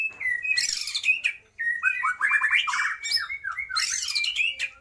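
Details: A white-rumped shama sings loudly with imitations of lovebird, kapas tembak and pijantung gunung: clear steady whistles broken by harsh scratchy bursts and quick stuttering descending notes.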